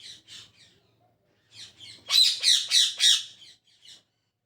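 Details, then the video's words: In the morning, a parrot gives soft scratchy notes that build into four loud, harsh chirps in a row, then tail off into a few quieter notes. "Parrot Chirping At Morning | Parrot Sound"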